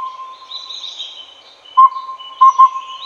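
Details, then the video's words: Collared owlet of subspecies pardalotum, Taiwan: clear whistled hoots at one steady pitch, a single note then a quick double note, over a faint lingering tone and soft high chirping from other birds or insects. "鵂鶹/Collared Owlet(Glaucidium brodiei pardalotum)call"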